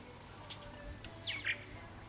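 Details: Purple martin flock returning after a three-year absence: a few brief chirps, then a quick falling, gurgling twitter and a sharp burst, over a steady low hum.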